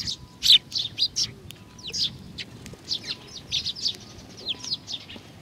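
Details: Flocking sparrows coming to be fed at Tenmangu shrine, Nakanoshima, 21 June 2020; continuous chatter of many short high chirps, loudest near the start, with background rumble.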